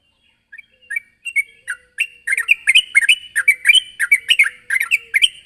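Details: Chatty Sooty-headed bulbul calling to a rival: a few scattered liquid notes build into a fast, continuous stream of bubbly, rolling phrases with slurred ups and downs.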